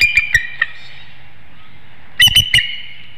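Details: Warning cries from a nesting eagle in Hanover, Pennsylvania, at 6:36 PM on 7 April 2019 while an intruder, possibly a juvenile eagle, flies through; a few high, thin squeaky notes, silence, then a short chattering burst.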